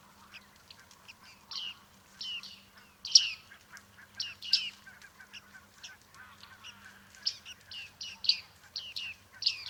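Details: Bearded reedling flock recorded in Liepāja, Latvia, July 2023, keeping up a lively string of twangy pinging calls, some doubled, over a faint low hum.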